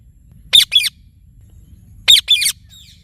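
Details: Two loud, raspy double squawks from a talking Indian ringneck parrot, about one and a half seconds apart, each pair made of a short shriek and a slightly longer second note.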